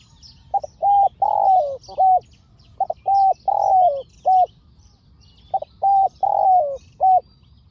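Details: Spotted dove calling during a decoy-luring session, one of a fierce pair. Mellow cooing comes in three phrases of four or five notes: a short note, then longer ones, the third slightly falling, separated by pauses. Faint higher bird calls sound behind.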